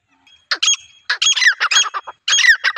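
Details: Grey francolin female giving a loud, harsh, tumbling burst of quick repeated notes in close clusters, a call used to attract wild birds. The background is otherwise quiet.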